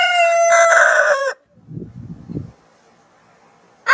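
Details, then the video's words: Morning crow of a rooster: one loud, drawn-out cock-a-doodle-doo lasting over a second, followed by low soft clucking and a quiet pause before another crow starts right at the end. "Rooster Crows - For Wake You Up"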